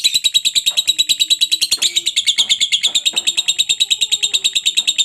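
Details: Lovebird ngekek song as masteran to get other lovebirds singing: a continuous, very regular rattle of high buzzy pulses, roughly three per second, with faint lower sounds beneath.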